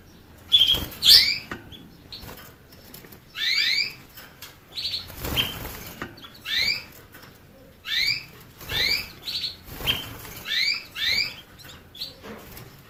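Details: Canary singing a run of paired upslurred chirps, repeated roughly every second over about thirteen seconds, with bursts of rustling noise between them.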